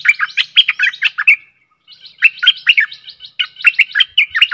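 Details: Stripe-throated bulbul song, recorded as a decoy for luring aggressive wild birds: rapid bubbly chattering notes in a burst, a brief pause, then two more lively warbling runs.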